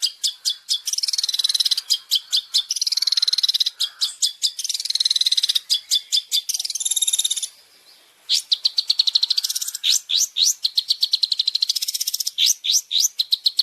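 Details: Long-tailed shrike masteran, champion isian played nonstop: long dense sequence of rapid ticking trills and harsh buzzes, a brief pause, then quick downslurred whistles and rattles.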